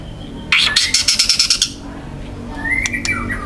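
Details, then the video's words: Wild young white-rumped shama in loud, dense song with harsh material: a rapid run of about eight rasping, broadband bursts, then a few high whistled notes over faint background hiss. "TEMBAKAN MURAI BATU MUDA HUTAN GACOR KERAS RAPAT MATERI KASARAN"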